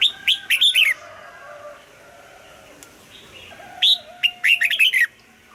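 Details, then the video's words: Red-whiskered bulbul singing a morning double-note song in the mature wild style, used for voice training: two bursts of quick, bright, warbled whistled notes, one at the start and another after about four seconds of quiet. "Luyện giọng cho chào mào hót sáng, ép chào mào hót âm kép già rừng hay tuyệt!"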